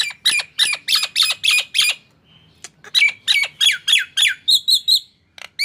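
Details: Energetic song of a Nias hill myna: loud, harsh, squawking notes given in a fast, fairly steady series of about three per second, a brief quiet gap, then more grating calls and a few high, clipped, metallic notes.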